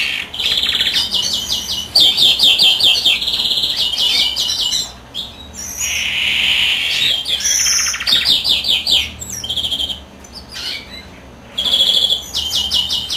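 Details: Greenfinch in full song as the female sits on eggs: fast rattling trills repeated in runs, broken by a long buzzy wheeze and more trilled phrases.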